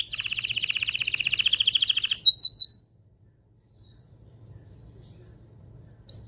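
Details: Pet canary singing to stimulate mating: a dense, fast double-pitched trill lasting over two seconds, a few sharp notes, then near silence with a faint low hum.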